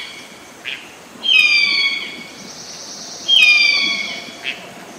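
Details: A harpy eagle (Harpia harpyja) in its natural habitat in Colombia gives two thin, high wailing screams about two seconds apart, each sliding slightly downward and fading, with quiet forest background between.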